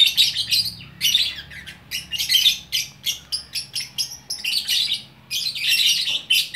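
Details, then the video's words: Single lovebird from Bukittinggi, West Sumatra, singing gacor orkestra style: rasping, high chattering phrases in bursts of about half a second to a second, separated by brief pauses. "Burung Lovebird Gacor Orkestra"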